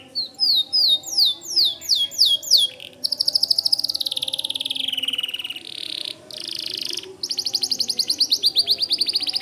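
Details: Vigorous white canary singing: repeated swooping chirps give way to a long fast rattling trill that dips in pitch, broken by brief pauses and resumed in quick pulses.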